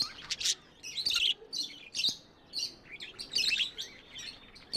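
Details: Budgies chirp in bright, scratchy bursts roughly every half second, high warbling notes rising and falling between short pauses.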